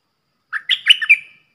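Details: Song of a red-whiskered bulbul kept as a decoy, played for young birds to copy and to attract wild ones; a brief burst of four or five bright, tumbling chirped notes ending in a slightly drawn-out slur.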